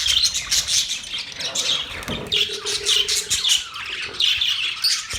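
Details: Chattering pet budgerigars, many high scratchy chirps and trills layered together, with a short low droning hum in the middle.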